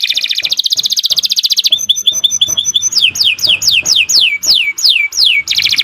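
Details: Canary of the Kenari Nusantara type in long 'gacor' song: a rapid buzzy trill, then paired clipped notes, then loud whistled notes sweeping downward about three times a second, ending in another fast trill.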